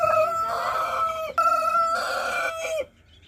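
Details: Rooster, locally called murga, giving a loud crow: a harsh, strongly harmonic cry held for nearly three seconds, briefly broken near the middle, then cut off sharply into quiet.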